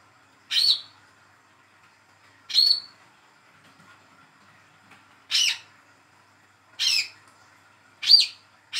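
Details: Speckled young Olive-backed sunbird, hand-raised, calling to prompt silent birds to sing: six short, sharp chirps at irregular intervals, one to three seconds apart, with some rougher notes toward the end.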